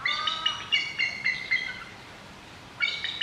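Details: Two captive bald eagles at a zoo in Nagoya, Japan, call back and forth, one above and one below, one while preening, on 9 July 2021: quick series of thin, high, squeaky chittering notes, about four per second, then pauses.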